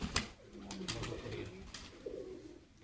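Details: Kept pigeons whose feathers were coloured with paint, uttering low steady droning coos, with sharp clicks and taps of handling in a small enclosed room.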